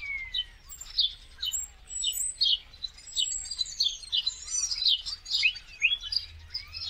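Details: Common starlings, winter migrants in huge flocks in India, giving dense overlapping chatter: buzzy, squeaky notes and short whistled slurs tumbling together continuously, with a faint rising whistle near the start and low background rumble.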